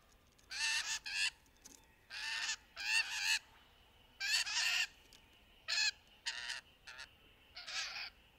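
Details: Rainbow lorikeets playing in trees, courtship and mating calls described: rapid, repeated harsh rasping screeches in uneven bursts, several shrieks close together, with a faint steady high tone behind them.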